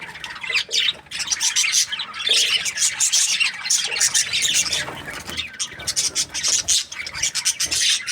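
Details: Happy budgies producing a steady stream of raspy chatter and sharp squeaky chirps, overlapping calls from several birds, loud and unbroken apart from short pauses near one and five seconds.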